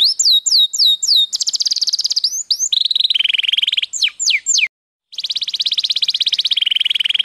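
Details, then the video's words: Singing Belgian canary: quick whistled slurs give way to long rapid trills at shifting pitches, a few sharp swooping notes, a short silence, then another sustained rolling trill. "canário belga cantando muito um show de canto"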